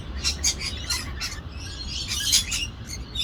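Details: Parrots fighting in Australia, outdoors, uttering rough, scratchy squawks and shrill chirps in quick, uneven bursts over a low rumbling background.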